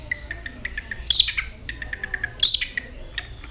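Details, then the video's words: White-rumped shama that switches its voice and flicks its tail continuously: soft quick ticking notes in runs, broken twice by a loud harsh rasp. "chòe lửa hót nhiều giọng đảo giọng đập đuôi liên tục"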